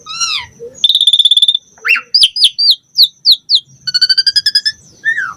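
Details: Asian pied starling song with rich variation, used to get other birds singing: a fast rattling trill, then a series of short downslurred whistles about three per second, another quick trill and a closing falling whistle.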